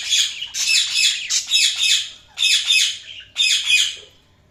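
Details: Budgerigars chirping in continuous loud, harsh warbling chatter, four long phrases with short breaks, fading at the end.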